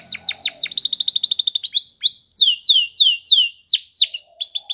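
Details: Canary singing a training song, opening with quick descending chips, then a dense rattling trill, followed by a string of loud, slurred whistles dropping in pitch, each about half a second apart.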